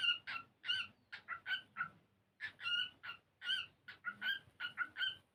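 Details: Singing cockatiel at play, learning and dancing as it sings, giving quick strings of rich harmonic chirps and warbles with one brief pause midway, the notes bright and slightly nasal over a soft low hum.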